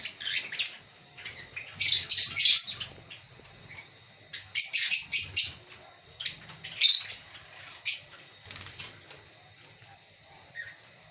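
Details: Lovebirds chirping in a captive breeding colony: shrill, scratchy chirp bursts in groups of several notes, spaced by pauses of one to two seconds, over a faint low hum.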